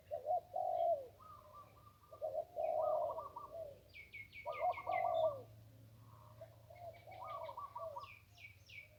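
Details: Zebra dove along the Ping River in Thailand singing 1-kuk style near a decoy: repeated rolling coo phrases, overlapped by quick, buzzy, higher trills from other birds.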